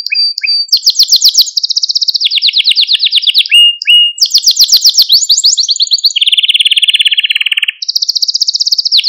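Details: Canary song for training and stimulating canaries: several fast trilled tours in a row, changing pitch from high rattles to lower, fuller rolling notes with hardly a break.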